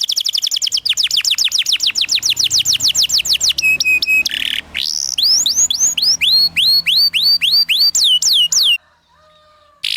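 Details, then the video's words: Singing canary on a long training song for young birds: rapid repeated downsweeping notes, a flat whistled tone with overtones, then a slower series of rising-falling chirps before a short silence. "PANCINGAN Kenari GACOR PANJANG Cuit Cuit EMOSI‼️ MASTERAN Kenari PAUD belajar BUNYI"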